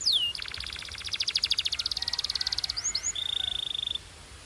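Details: Canary in the pure Belgian singing style, its melody drawing other birds to join in: a falling whistle, then a fast pulsed buzzy roll for over two seconds, two quick upswept chirps and a steady high held whistle.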